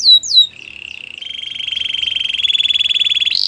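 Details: Training song of a canary for coaching other canaries: two quick sweeping whistles, then a long rolling trill that swells in loudness, ending in a brief higher buzz.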